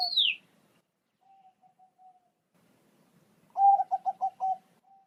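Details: Bangkok-type zebra dove tutor song for prompting pet doves: a sharp, falling high chirp from another bird opens, then soft spaced coos, and later a loud run of quick pulsed coos ending in a held note.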